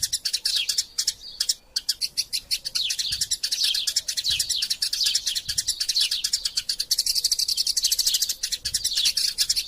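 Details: Eurasian tree sparrows fighting, recorded as a master sound for training magpie robins: dense, rapid chirps and descending tweets packed together high in pitch, with only brief gaps, continuing without pause.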